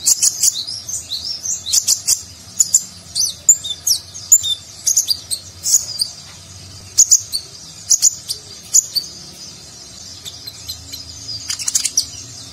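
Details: Lively konin sunbird song in the nagen style, a training recording for competition birds: long stretch of very high, rapid twittering and sharp chips, clustered bursts separated by brief pauses.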